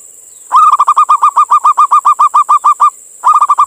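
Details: Local Indonesian male zebra dove calling a female, used as a lure to draw other doves in or prompt them to sing: a long, fast run of about nineteen clipped, hollow cooing notes, a pause, then six more, over a steady high hiss.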